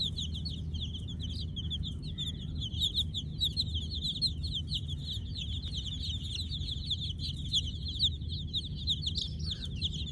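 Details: Kolor baby chicks chirping through the night in a constant high twittering mass, individual peeps blurring together, accompanied by a low rumbling hum.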